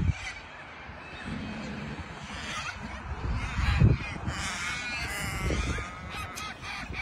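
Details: Hundreds of cockatoos, white and yellow parrots, gathered on a sports field in Melbourne, Australia, some being fed, give harsh, overlapping screeches and squawks against a low rumble of wind and handling noise, with a man talking nearby.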